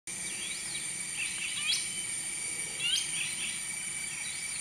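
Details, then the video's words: Finsch's bulbul (Alophoixus finschii), a Near Threatened Sundaic lowland forest species, giving a few short, sharp chirps and quick upslurred notes over a steady high-pitched insect drone. "Finsch's Bulbul"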